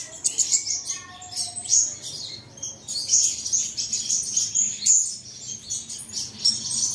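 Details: Caged-bird singing lure for early morning: a stream of sharp high chirps and rattling twitters, joined by a few lower whistled notes near the start.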